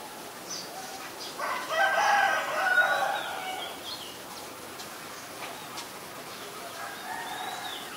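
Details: White-vented myna in Ubon Ratchathani, Thailand, on 9 March 2022, giving a loud burst of harsh, grating chatter lasting about two seconds. Quieter scratchy notes follow over a hissing background.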